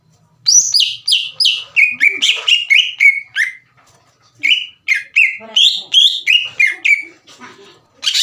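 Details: Green leafbird singing to provoke a rival's emotion so it answers: fast runs of sharp descending notes, very high at first then steadier lower whistles, with a short gap before another quick series.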